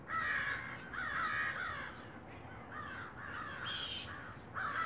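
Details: Rainy-day calling by large black crows close to home, a series of harsh, wavering caws strung almost continuously, with a sharper, higher shriek near the end.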